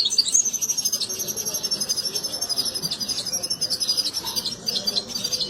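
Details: European goldfinch mating song, with a female taking the mating posture after hearing it; an unbroken stream of high, fast twittering and thin trills over faint background noise.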